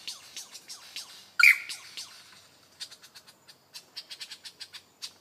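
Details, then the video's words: Lyrebird in beatboxing display, rapid ticking notes and a single loud harsh blast, then a string of crisp, evenly spaced clicks and short high chips. "Beat Boxing LyreBird"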